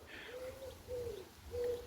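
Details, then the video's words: A pigeon in the background of a Sunninghill garden with bird feeders in late September 2025 gives three soft, low, hooting coos, spaced just over half a second apart, over a quiet outdoor hush. "You can hear a pigeon in the background, I think."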